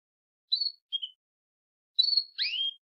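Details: A female canary's mating-season call, used to stimulate males to sing and breed: short high chirps, two brief notes, then a longer pair of sliding whistled calls, in a quiet setting.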